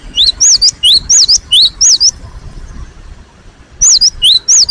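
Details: Cinereous tit (gelatik batu) in full, insistent song: sharp two-part whistled phrases, a rising sweep then a high note, given in two quick bursts around a short pause, over faint low background noise.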